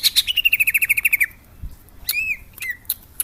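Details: Greater green leafbird (cucak hijau) singing prolifically: a fast run of about thirteen sharp notes stepping down in pitch, then a pause and a few slurred, arching whistles.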